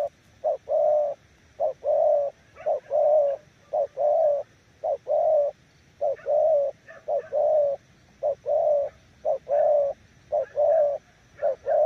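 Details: A long steady series of spotted dove coos, each pair a short note followed by a longer mellow one, repeated about once a second. Faint higher chirps are scattered in the background.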